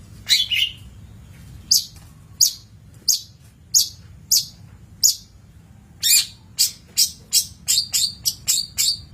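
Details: Long-tailed shrike song recorded as a training master: spaced, hissing bursts at first, then a rapid accelerating volley of sharp scratchy notes in the final three seconds.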